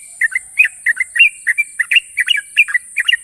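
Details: Champion sooty-headed bulbul in sharp ropel song: paired chirps, often a high note slurring down to a lower one, repeated rapidly and evenly above a faint high hiss.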